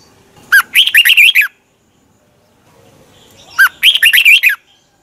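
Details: A red-whiskered bulbul sings its morning practice song, used to spur other bulbuls into energetic singing. Two loud, fast phrases of sharp chirps and rolling whistled notes, about three seconds apart, with silence between.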